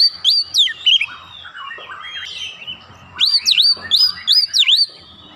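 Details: Provoked by a lure recording, an Oriental magpie-robin sings: sharp swooping whistles, a softer jumbled warble, then loud dipping V-shaped whistles in a rapid run.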